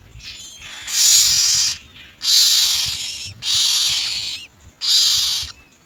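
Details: Common myna parents gathering insects to feed their young; four harsh, hissing bursts, each under a second long, spaced roughly a second apart, with faint low rumble beneath.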